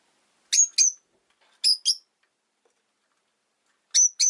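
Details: Rosy-faced lovebird, a pet bird, giving sharp high chirps in pairs, three pairs spaced over about four seconds with silence between, no other sounds.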